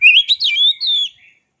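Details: A short, bright phrase from an oriental magpie-robin: a rising whistle, a quick warble, then a long clear slurred note fading out.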